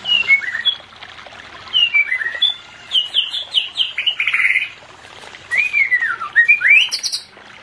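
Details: White-rumped shama song for bringing a non-breeding pair into condition: descending whistled notes, a loud chattering burst, then a sweeping falling-rising whistle and high ringing notes, with light knocks.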